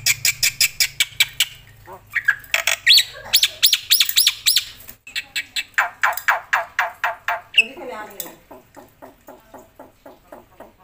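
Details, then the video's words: Loud black-winged myna song packed with varied phrases: rapid clicking notes, then harsh rising buzzy bursts and squawks, then a run of quick chattering ticks, with a faint low hum underneath. "suara KERAS jalak putih gacor full isian"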